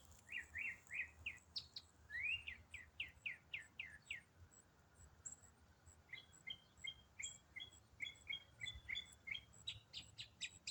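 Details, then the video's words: Songbird singing in autumn, part of one complex riff sung non-stop for eight minutes: quick runs of bright, rising-then-falling chirps, a swift burst of similar notes, then evenly spaced paired twittering notes, with a faint low rumble beneath. "Autumn Songbird - What bird sings one complex riff for 8 minutes non-stop?"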